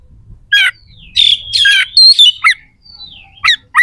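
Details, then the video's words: Oriental magpie-robin singing with harsh, sharp fills, used as a lure so competing magpie-robins become agitated and ready to fight; short rasping bursts alternate with long thin descending whistles and sudden sharp chips. "PANCINGAN KACER AUTO CEPAT RESPON/KACER JADI EMOSI SIAP TARUNG"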